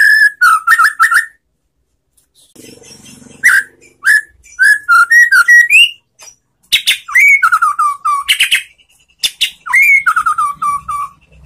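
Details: Relaxed white-rumped shama song used as a lure to provoke replies from silent birds: rich whistled phrases with slurred, descending note runs, a quiet gap near two seconds, then bursts of sharp, rapid notes mixed with whistles.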